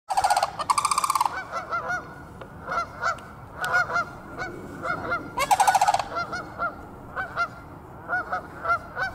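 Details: Sandhill cranes walking behind a yard in February (2/22) give loud, rolling, rattling bugles in two bursts, with softer hoarse notes from other cranes in between; Canada geese are audible in the background.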